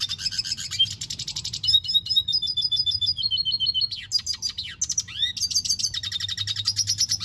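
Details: Red siskin in full song, a fast stream of buzzy trills, chattering rattles and slurred high whistles, shifting pattern every second or so.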